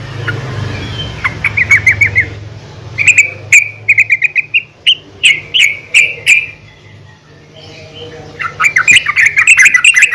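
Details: A female yellow-vented bulbul calls to other bulbuls in short, bright whistled chirps, given in quick runs and then slower spaced notes, a pause, and a final fast burst, over a low hum.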